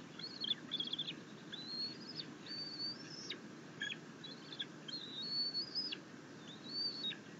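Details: Happy bald eagle eaglet chittering while its mother delivers a fish, after it tried feeding itself on a rabbit. Series of high, thin, drawn-out whistles, some quavering, about every second, with a constant low rumble beneath.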